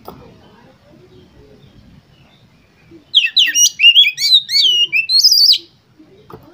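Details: Oriental magpie-robin on a contest perch, its song meant to spur other competition birds to sing. Three quiet seconds, then a dense two-and-a-half-second burst of quick, varied whistles, trills and sharp high notes before falling silent.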